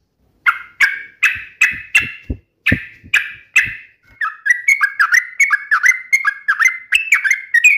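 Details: Trucukan bulbul gacor song, uplik nembak ropel style: first a series of evenly spaced, identical harsh notes with soft low knocks, then faster liquid whistled notes dipping and rising in a lively run.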